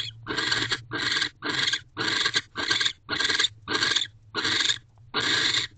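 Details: Raspy, breathy screeches from a barn owl inside a nest box on a December night in 2023, around the time a returning male mates and then guards the door; evenly spaced noisy bursts over a faint low drone.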